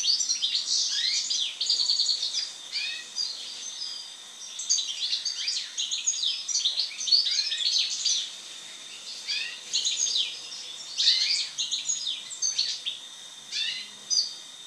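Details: Post-moult European goldfinch song, a long run of rapid twittering phrases, bright chirps, buzzy trills and slurred notes, coming in repeated bursts with brief gaps between them.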